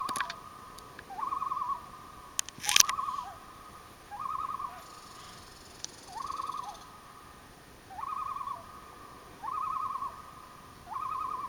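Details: Common loon at a campsite near Elliot Lake, Ontario, on July 27, 2015: quavering, wavering calls near one pitch, repeated about every one and a half seconds, with a few sharp clicks early on and a steady faint background hiss.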